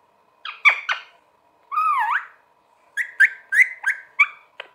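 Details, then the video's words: Talking parrot: a few clipped syllables, then a long, swooping whistle-like sound dipping and rising, followed by a quick series of five or six short chirpy notes and a final click. "Parrot Sound Talking Parrot Bolne wala totha"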